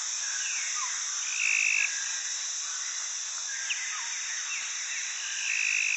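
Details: Trumpeter hornbill calling while brushing at Oribi Gorge, South Africa, recorded 10-11-2022: nasal, drawn-out flat notes and short slurred wails in loose sequence, over a constant high insect hiss.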